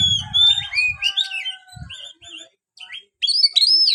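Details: Caged white-rumped shama singing sliding whistles and short twittering phrases, a brief pause, then a loud rising and falling whistled phrase; low thumping noise early on.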